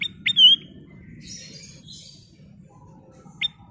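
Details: Sooty-headed bulbul (kutilang emas) in lively singing form: a short sharp upward note, then a bright whistled note with a quick wavering end, a faint buzzy phrase, and one more sharp note after a pause, over a low steady hum.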